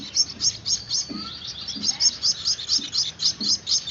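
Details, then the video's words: Young Gouldian finches learning to be hand-fed give a string of sharp, high, buzzy chirps at an irregular pace, with quiet low knocks beneath. "Anakan burung Gould Amadine, lolohan burung kecil"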